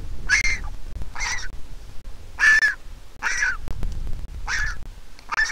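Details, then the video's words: Young Griffon vulture in a nest in Israel, hatched 22 April 2021, whose parents are a handicapped pair, pleading for food as the mother arrives: six coarse, squawking calls in quick succession, faint low-pitched noise behind. "Baby Griffon Vulture begs for food and Mom comes to feed it."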